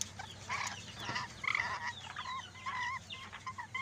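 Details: Lory from Sulawesi talking: a run of short, speech-like harmonic syllables, some rising and wavering, spaced irregularly across four seconds, over a steady low hum and faint high chirps from other birds in the background.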